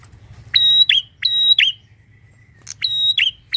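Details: Loud bar-winged prinia (prenjak) song from a garden: piercing, metallic whistled notes in pairs, repeated in quick phrases separated by a brief gap, with faint low background rumble.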